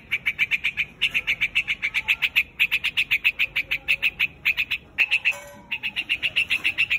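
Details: A white-headed bird gives a fast, insistent run of sharp chips, several per second, calling the flock, broken by a short pause midway.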